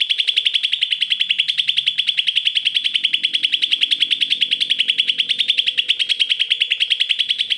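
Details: Greater green leafbird in full song, played to coax lazy leafbirds into singing: a fast, steady stream of bright, high chirps, about three or four per second, running unbroken throughout with faint low background hum.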